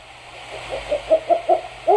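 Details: Black-banded owl (Strix huhula) pair duetting at night during courtship, the male's voice lower and the female's higher and more powerful: about six quick, rising, overlapping hoots growing louder over a steady low hum.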